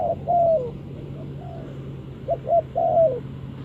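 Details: A spotted dove used as a lure for trapping gives a long falling croo, a pause, then two short coos and another long croo that drops at its close, over a steady low hum.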